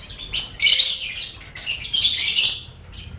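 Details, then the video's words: Noisy colony enclosure holding lovebirds with finches and quail, recorded for mental training of contest birds; two long waves of dense, screechy high chatter, each about a second, with fluttering irregular pulses. "Sound Koloni Lovebird"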